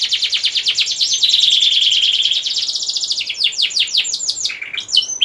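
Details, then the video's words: Domestic canary in lively ngerek song, meant to prompt hens and young males to breed: rapid repeated notes, then a steady rolling trill, then slower separate swooping notes ending in brief chips. "Kicauan Kenari Gacor Ngerek Untuk Menaikkan Birahi Kenari Betina Siapan & Pejantan Muda!"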